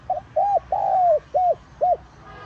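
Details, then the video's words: Spotted dove (cu gáy) giving a complete cooing phrase meant to call in wild doves. A short soft note, an arched coo, a long gently falling coo, then two more arched coos, all low and mellow over two seconds. "Tiếng Cu Gáy Giọng Hạp BổI ĐỦ BÀI [GỌI BỔI] TỐT TIẾNG kích Bổi Nhanh Nổi.Mở lên là bổi gáy lại"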